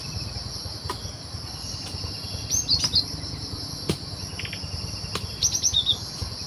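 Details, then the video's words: Cinereous tit in the wild, song recorded as a trapping lure: short clusters of thin, high chirping notes in two bouts, partly masked by a constant shrill insect chorus and occasional sharp clicks. "Suara Burung Gelatik Batu Di Alam liar Super Gacor"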